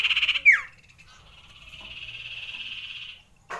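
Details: Common iora long rolling song, used to raise breeding urge: a brief pulsed trill, then a steeply dropping sweep, followed by a long, steady, rolled note lasting nearly two seconds.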